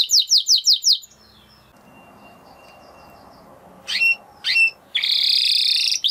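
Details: Spanish Timbrado canary song: a short burst of rapid descending notes, a quiet pause, two sharp chips, then a dense, high, buzzy roll running to the end.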